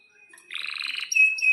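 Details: Brief canary phrase from a lure recording meant to prompt other canaries to sing: a rapid buzzy rattle of high notes, then a clear sustained piercing whistle.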